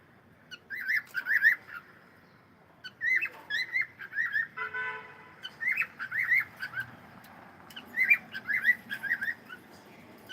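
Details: A cockatiel sings in groups of two or three warbled whistles, with short pauses between groups and a brief buzzy, rasping note partway through.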